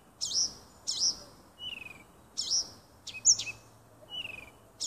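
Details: A nightingale sings in a small woodland near a home at the end of June 2015. Brief bursts of sharp, high chirped notes are spaced by short gaps and mixed with lower, descending whistled notes. A faint steady hum runs underneath.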